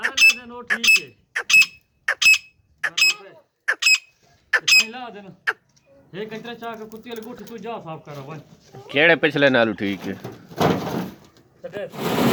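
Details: A female grey francolin gives harsh, ringing calls about every two-thirds of a second for five seconds, then people talk over the rest.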